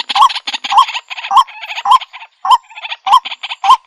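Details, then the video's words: Waterhen (jal murgi) calling: a loud, harsh note with a quick upward twist, repeated about every half second, each call followed by rough, noisy chatter. "Jal Murgi Ki Sound | Jal Murgi Call Voice"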